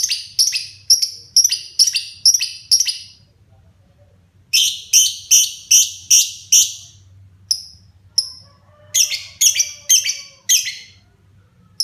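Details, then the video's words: Pet lovebird, a child's cherished bird, starting to sing profusely: shrill, buzzy chirps in fast bursts of five to eight notes, each run lasting a few seconds and separated by short pauses, with faint low hum behind. "Burung LB mulai gacor"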